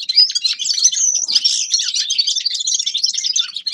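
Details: Loud, unbroken high twittering from a Grey-crowned goldfinch, a rapid stream of bright chirps and rattling trills.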